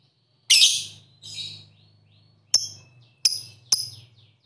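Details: Lovebird sounds played to stimulate other lovebirds to sing: scattered sharp, high shrieking chirps, one longer harsh burst followed by a softer rasp and three quick clipped squeaks, over a faint low hum.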